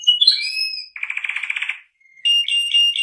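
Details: Shant canary singing high, clear whistled notes with rising slides, then a fast buzzy trill of rapid repeated notes, then more bright piping phrases.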